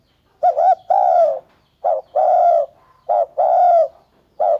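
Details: Spotted dove cooing in low, hollow tones. A short doubled note is followed by a longer, even coo, and the phrase repeats three times plus a final note. Each phrase comes about every 1.3 seconds, with quiet gaps between them.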